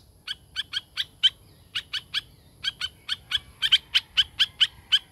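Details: Sharp, dry clicking notes from a tame laughingthrush, delivered singly or in short runs, each crisp and bright, spaced roughly a quarter second apart, speeding slightly toward the end.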